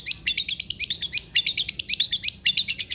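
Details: Long-tailed shrike song for prompting a silent shrike: a fast, varied chatter of twisting high notes in quick phrases, with a short gap near the middle and clean background.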